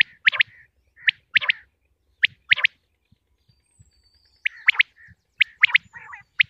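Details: Common quail (Coturnix coturnix), female, from Pakistan, calling with sharp, liquid notes in quick groups of two or three, repeated about once a second, with faint low thumps underneath.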